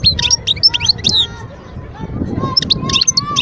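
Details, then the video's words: Wild European goldfinch song recorded in 2022 at Guerbaz, Skikda, Algeria: bursts of bright, high twittering chirps in quick clusters, a pause mid-clip, then more chirping, over steady lower sliding tones and a low rumbling background. "صوت الحسون البري"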